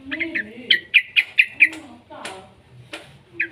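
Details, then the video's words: Juvenile yellow-vented bulbul used to prompt other bulbuls to sing: a run of five or six clear, evenly spaced bright chirps, then scattered harsher notes and a lower murmur beneath. "suara burung trucukan muda PALING AMPUH buat Pancingan trucukan agar BUNYI"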